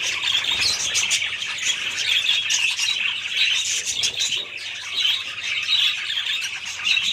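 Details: A group of budgerigars twittering and squawking in a thick, continuous high-pitched babble, the loudness swelling and dipping slightly.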